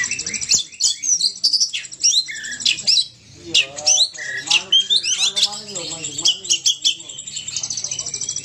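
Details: Oriental magpie-robin in vigorous song: high whistles and chirps interleaved with harsh, grating squawk-like notes and scratchy chatter.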